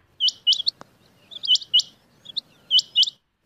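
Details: Short run of Rain quail calls, the kind used to attract quail for hunting: crisp, high, doubled metallic notes in four quick bursts, with a single soft click between them and quiet background.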